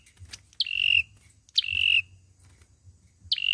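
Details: Olive-backed sunbird fighting song as a trapping lure: three notes, each a quick rising flick followed by a sustained level whistle, spaced about a second apart over quiet low rumble.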